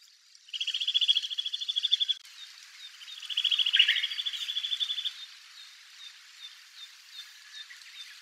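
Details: Wild Eurasian nuthatch singing at Togakushi, Japan. It gives two fast, even trills of repeated whistled notes, each about one and a half seconds long. A lower note breaks in near the middle, and faint spaced chirps follow.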